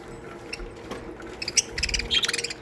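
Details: Budgerigar colony in an aviary, faint twittering that builds into a quick series of bright chirps and squeaks in the last second.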